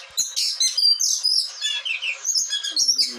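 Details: Caged blue whistling thrush in Bogor, kept by its owner in a storeroom and described as agitated, delivering a loud, fast run of high whistles, chirps and sharp notes with little pause between phrases.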